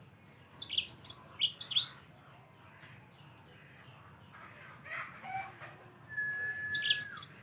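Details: Yellow-fronted canary giving a vigorous song, offered as a tutor recording for training other songbirds: a rapid burst of high, thin, trilled notes, then a pause with faint background sounds and a lone level whistle, then the trilling resumes.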